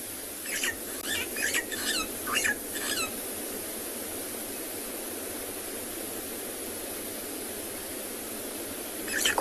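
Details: A single starling, possibly wind-blown off course in strong wind on an afternoon safari drive in South Africa, gives five or six short, squeaky chattering notes over three seconds, then one more, against roaring wind.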